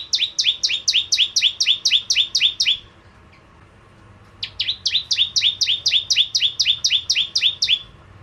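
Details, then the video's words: Lively bar-winged prinia song as a lure for crystal ciblek: two rapid, very regular trains of bright chirps, each note dropping in pitch, around four per second, split by a brief silence. "Burung Prenjak Jawa Gacor Pancingan Ciblek Kristal"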